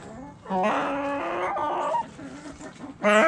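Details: Backyard rooster giving a loud, long, harmonic crow lasting about one and a half seconds, followed after a quieter pause by the start of another loud call.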